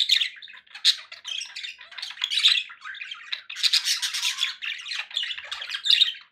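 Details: Several pet budgies keep up continuous scratchy warbling, mixing buzzy rasps with sharp high chirps and squeaks. The chatter swells louder after the halfway point and carries on with hardly a break.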